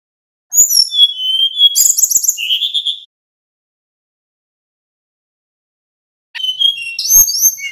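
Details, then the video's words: A male little pied flycatcher sings thin, high whistled phrases with quick chittering notes, in two bursts separated by a few seconds of silence. "Suara Sikatan Bambu Jantan NYEKLEK"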